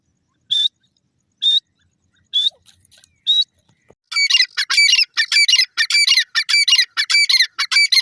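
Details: Grey francolin (Sindhi teetar) calling: four spaced, piercing high notes about a second apart, then a loud, rapid, shrill series of harsh repeated phrases that keeps going to the end.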